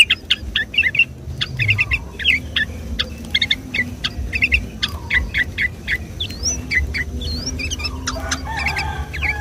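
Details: Yellow-vented bulbul singing on a Sunday morning, a recording used as a trapping lure: busy overlapping bursts of liquid whistles and clipped chirps, several voices together, with a low rumbling background.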